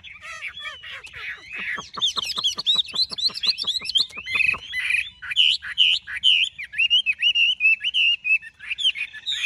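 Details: Large-bodied caged Chinese hwamei in rich song: opening whistled slurs, then a fast rattling series of clipped notes, then loud looping whistles rising and falling in a varied, lively flow.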